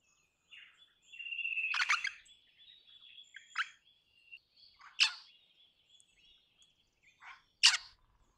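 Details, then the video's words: Crimson rosella producing a drawn-out whistle followed by loud, harsh, clipped notes spaced a second or more apart, with a faint thin whistle running underneath. "Crimson Rosella Call. Crimson Rosella Sounds. Crimson Rosella Song. Crimson Rosella Noise."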